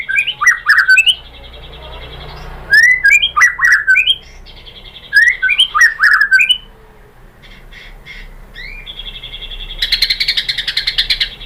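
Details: Provoking song of a white-rumped shama (murai batu) meant to make other shamas answer; repeated bursts of quick rising whistled notes and harsh chips, then a high rattling trill near the end, separated by quiet gaps.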